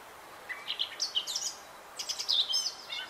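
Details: A male Eurasian blackcap, a garden bird, sings two quick bursts of high, chattering warble ending in clearer, wistful fluted notes, over a faint steady background hiss.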